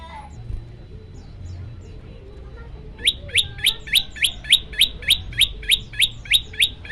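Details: Olive-backed tailorbird, locally prenjak lumut or ciang ciang, in a varied 'shot' sound: after three seconds of low hum, a fast run of about fifteen sharp, high, upward-flicking chirps, evenly spaced at roughly four per second.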